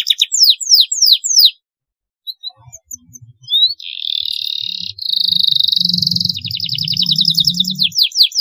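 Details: Canary song for training young birds: several descending whistled sweeps, a pause, then loud buzzy trills and rapid repeated notes, with a low droning sound beneath.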